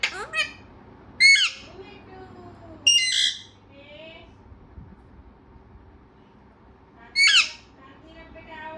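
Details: Talkative pet parrot giving loud harsh squawks at intervals of one to four seconds, with faint warbled, chattering notes in between, in a quiet room.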